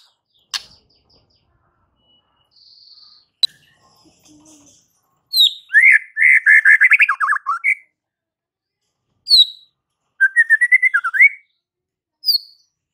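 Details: White-rumped shama singing to provoke fighter males: scattered clicks and a thin whistle, then bursts of rich rapid warbling phrases separated by pauses, with sharp high notes between.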